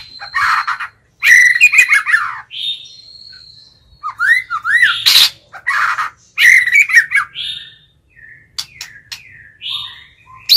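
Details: White-rumped shama kept as a caged lure, singing to call and incite wild birds: loud, varied phrases mixing rich warbles, sliding whistles and sharp clicking notes, delivered in bursts with short pauses.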